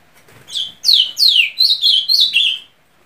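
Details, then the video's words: Song of the azulão, or ultramarine grosbeak: a soft lead-in note, two long downslurred whistles, then four short level whistles, clear and loud against a quiet room. "Que Canto é Desse Azulão?"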